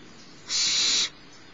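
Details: Barn owl nestling at Starr Ranch begging while the adult female feeds it in the morning, one steady, steam-like rasping hiss lasting over half a second.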